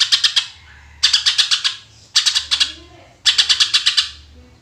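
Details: Greater green leafbird in full "tembakan" song, used to lure other birds: four quick bursts of five to seven hard, clipped, buzzy chips, spaced about a second apart, each fading with a short trailing echo.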